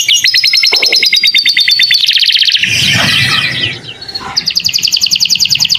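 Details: Canary master recording with lovebird-style fill, meant for training young birds: even high rapid trills, a rough noisy chattering passage, then a bright fast rattle-like trill.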